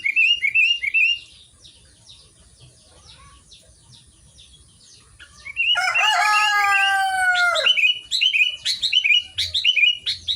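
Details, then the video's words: Sooty-headed bulbul (Pycnonotus aurigaster) gives quick, bubbly chirped phrases at the start and end, with a loud rooster crow cutting through the middle. "burung kutilang gacor"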